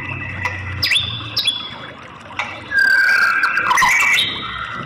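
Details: White-rumped shama, claimed as a female calling a male to sing; scattered quieter whistles early, then a loud burst of clear whistled notes and slides, with a faint low hum.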